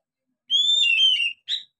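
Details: Young oriental magpie-robin starting to sing, kept as a lure bird: one clear, slightly wavering whistle lasting nearly a second, then a brief rough, buzzy note after a short pause.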